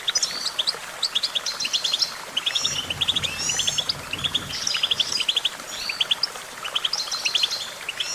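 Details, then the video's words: Goldfinch song: dense, rapid twittering of bright chirps and short high trills, in bursts with brief pauses, over a faint low hum. "Vocal virtuoso: activating enhancing your goldfinch songbird prowess"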